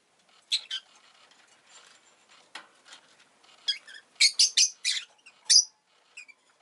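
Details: Rosy-faced lovebird kept as a pet, around the time an egg was laid: soft faint rustling at first, then a rapid cluster of four or five piercing chirps near the end.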